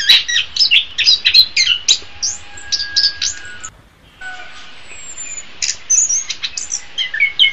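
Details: Orange-headed thrush (Geokichla citrina) song recording used for training captive songbirds: rapid, varied phrases of high, sweet whistles and chattering notes, with a brief pause midway and a faint thin whistle behind.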